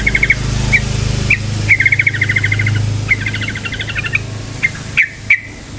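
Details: Yellow-vented bulbul in lively rapid 'cukcuk' song, meant to spur other bulbuls into singing; fast bubbling chatter of repeated ringing notes in bursts, then a few separate chips, over a low engine-like rumble.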